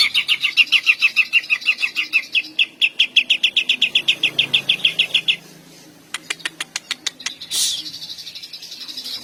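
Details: Greater green leafbird in hyper full song, long shooting bursts provoking other leafbirds' mating urge and emotion; a long fast rattle of whistled notes for five seconds, then sharp clicking notes and a brief harsh burst.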